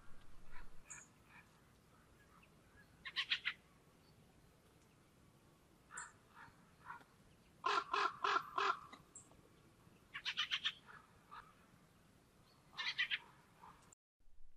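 A fieldfare gives harsh, rattling chack-chack calls in quick bursts of several notes, repeated every two to three seconds against a quiet outdoor background.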